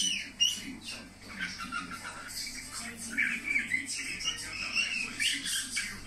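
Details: Budgerigar song as a nonstop busy chatter, mixing raspy buzzes with quick high whistled slurs and clicks, with a faint continuous electrical hum underneath.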